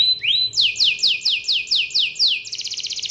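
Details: Canary song played as a lure to get other canaries singing: a steady whistled note, then a series of loud descending sweeps repeated about every quarter second, ending in a fast high rattling trill.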